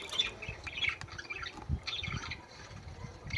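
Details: Budgerigar song for encouraging mating, softer here: short chirpy chatter in small bursts over low background rumbles.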